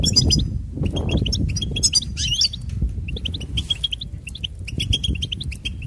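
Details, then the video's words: Goldfinch twittering in quick, bright phrases with a few buzzy trills and short pauses, over low background rumble. "Uplifting Goldfinch Serenade"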